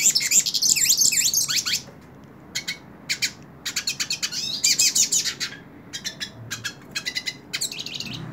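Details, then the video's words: Hooded siskin singing while held in the hand: a fast, twittering song of high buzzy trills and quick slurred notes, delivered in bursts with short pauses between phrases. "Cabecita Negra Canta En La Mano / Pintassilgo Cante Na Mão"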